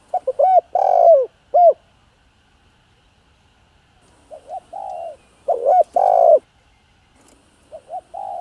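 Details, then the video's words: Spotted dove cooing, a full set of calling, urging and soft cooing styles used to rouse newly caught doves. Low hollow two-part coos, rising then falling, come in two phrases separated by a quiet gap, with a final softer coo. "Tiếng Cu Gáy Giọng Hạp BổI ĐỦ BÀI [ GÁY GỌI,THÚC,GÙ ]Kích Bổi Nhanh Nổi"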